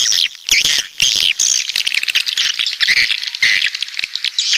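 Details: Coastal swiftlets from the south giving dense, overlapping high squeaky chirps and twitters, with sharp clicks scattered through and brief gaps in the chorus.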